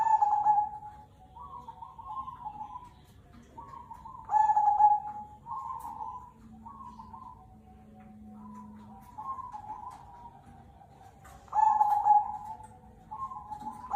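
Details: Zebra dove, Cemani Kolbuntet type, singing strongly as a lure song: a long run of resonant cooing phrases every one to two seconds, some loud and rolling, others softer and burry, joined by a thin sustained tone, with faint low hum.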